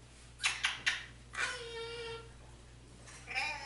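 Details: An African grey parrot talks in Spanish, calling his mom and asking for turkey and chicken, in a humanlike voice: three quick clipped syllables, then a long drawn-out tonal word and a short final phrase, indoors.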